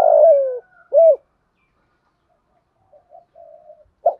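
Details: Spotted dove song in the 'thổ' style, used to rouse doves to coo. A long falling croo ends, a short rounded coo follows, then soft faint notes and the start of the next phrase.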